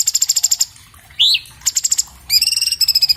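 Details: High, fast song of an orange-bellied leafbird, iPhone 7 Plus recording for training cage birds: repeated chips, a rising whistle, then steady clear whistled notes with rapid chattering.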